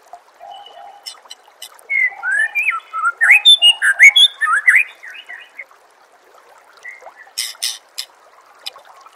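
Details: White-rumped shama in vigorous tutor song used to train contest birds: a burst of varied loud whistles, swoops and sharp chirps over about three seconds, then softer notes and a cluster of high buzzy ticks.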